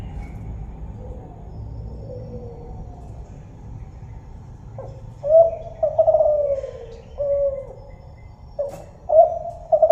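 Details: Tekukur, or spotted dove, of the Kelantan song type. The first half is near-silent with faint murmurs. Then come loud, mellow coos in a rhythmic phrase: a short note, a long wavering falling coo and a closing coo, which repeats.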